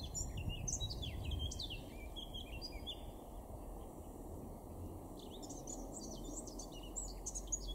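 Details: A male common blackbird sings in a garden in Weener, East Frisia, northwest Germany, in April 2022: two bursts of quick, varied, high twittering phrases separated by a pause, over a low rumble of wind or distant traffic.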